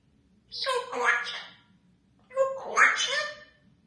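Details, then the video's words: Pet Congo African grey parrot talking, mimicking human voices: two short, word-like phrases about two seconds apart, with human-sounding vowels in a quiet room. "Talking Grey Parrot"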